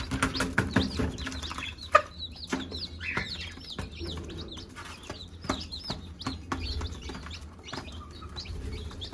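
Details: Chickens: a mother hen calls her chicks to eat, a few low clucks under high, rapid peeping from the chicks, with sharp tapping sounds and a steady low hum.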